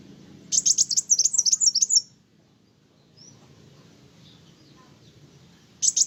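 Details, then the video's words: Kolibri wulung sunbird, singing hard and stirring up other birds, gives a one-and-a-half-second tumbling twitter of piercing high notes, then near silence with a faint thin note, and a final chirp. "Kolibri wulung gacoorr bikin burung lain emosi"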